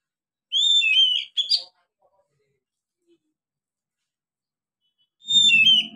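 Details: Oriental magpie-robin, a young bird just beginning to sing, recorded as a lure: a whistled, downward-slurring phrase ending in scratchy notes, long silence, then another whistled phrase over a low rattling hum.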